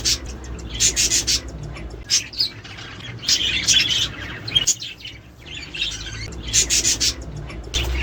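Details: Caged Australian budgerigars, played to encourage mating, breeding and egg laying: a busy chorus of high chirps, warbles and squawks in bursts with short pauses, over a low steady hum.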